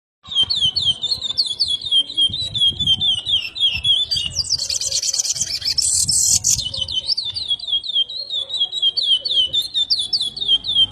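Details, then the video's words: Chestnut-bellied seed finch, a very repetitive singer: a rapid run of clear whistled notes, each bending down then up, repeated without pause across the whole stretch, with a brief harsh buzzy burst in the middle. "Curió mega repetidor"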